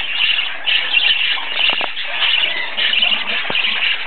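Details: Two parakeet chicks begging for food from their parents keep up a dense, raspy, high chatter of begging calls with no pauses. A few soft knocks and shuffling sounds are heard behind them.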